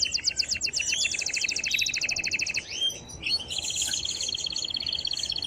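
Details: Male canary in strong excited song to stimulate the female to mate and teach chicks: rapidly repeated double notes, a short slur, then a long fast trill, with steady background hiss.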